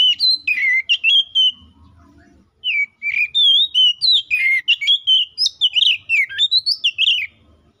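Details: Caged white-rumped shama singing to call a rival and spur other shamas to sing, a few fluty phrases, a short pause, then a long rapid sequence of varied whistles, slurs and chirps.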